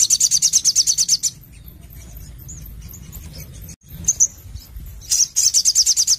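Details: Sogon (Ruby-cheeked sunbird) singing actively in a sharp 'nembak nglaper' style: a very high, rapid trill of thin repeated notes, broken by a pause, then resuming. Low background rumble throughout.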